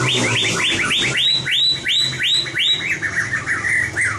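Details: Competition-style singing of a white-rumped shama in training: rapid, repeated arching whistles that rise then fall, roughly three per second, ending in softer, descending slurred notes over a low background hum.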